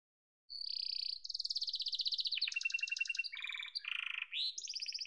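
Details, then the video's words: After half a second of quiet, a yellow canary delivers fast trilled tours: a steady high roll, pulsing mid-pitched rattles, low buzzy segments and a final high ringing trill. "Muhteşem Kanarya Sesi: Sarı Kanarya'nın Efsanevi Ötüşü"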